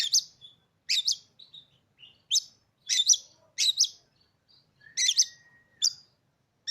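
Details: Oriental magpie-robin in a cage, newly bought, gives repeated loud, sharp, buzzy notes roughly every half second, with soft short chirps and a thin whistle between them. The setting is quiet.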